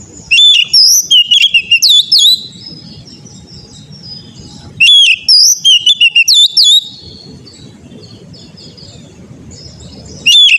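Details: Oriental magpie-robin song played as training for a young caged bird: loud whistled phrases with sharp sweeping notes and rapid chirps, in bursts about every five seconds, with low background rumble between them.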